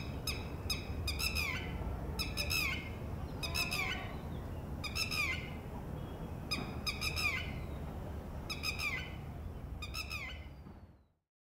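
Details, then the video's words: Warning calls of a female Red-wattled Lapwing as a chick hatches from one of four eggs at a ground nest; strident descending notes in quick groups repeating every second or so, then fading to silence at the end. "Red-wattled Lapwing egg hatches - female makes alarm calls"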